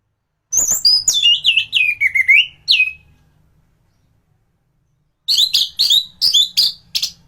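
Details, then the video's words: Orange-headed thrush singing as a model for other birds: a long cascade of quick whistled notes falling step by step in pitch, a pause of two seconds, then a burst of high rising and falling chirps. "Burung anis gacoran || masteran untuk burung anis"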